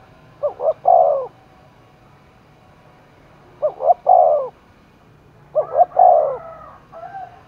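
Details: Contest-roused spotted dove in Dong Nai, Vietnam, giving three clear coo phrases, each two brief notes followed by a longer sliding note, with a soft extra coo at the end.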